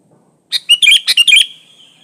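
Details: Sooty-headed bulbul singing loudly, unmixed with other species, used as a lure to make other bulbuls sing: one rollicking phrase of about six fast liquid, gurgling notes, ending in a thin trailing whistle.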